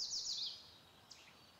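A house wren gives a quick, high, bubbling run of tumbling notes for about half a second, then one faint chip, over soft background hiss.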